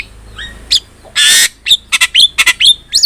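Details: Javan myna song as a tutor for other birds: a few soft whistles, a loud harsh hissing squawk, then quick sharp chips and whistles sliding up and down in a rapid run.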